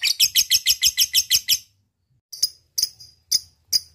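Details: Lovebird in ngekek style, a lure for calling a rival: a quick burst of about ten harsh chattering notes, then a pause and four separate sharp, scratchy chips.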